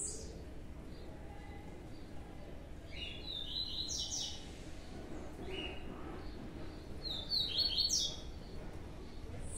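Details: Captive young Blue-black Grassquits, two separated fledglings; scattered buzzy, high chirps come in small bursts through the recording, loudest near the end, with a quiet rumbling background.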